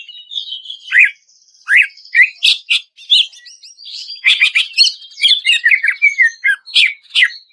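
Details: Greater green leafbird song played to coax stressed birds into singing, with long notes and rapid bursts: sharp downslurred whistles, clipped chips and a dense twittering run of varied notes, mostly high-pitched, with brief gaps.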